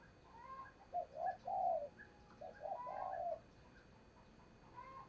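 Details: Lure spotted dove used to attract wild doves for trapping, two phrases of low hollow coos, each ending in a longer note, with a faint hum and background hiss.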